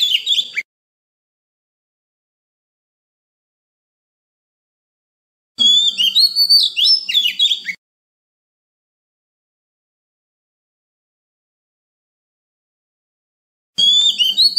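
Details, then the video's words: Oriental magpie-robin singing in wild-voice style, played to train young birds and stir wild-caught birds to sing: three bursts of rich, high whistled and warbled phrases separated by long silent gaps. "Luyện giọng chim non kích chim bổi hót mỗi ngày với giọng rừng cực chuẩn | Kích Choè Than Hót"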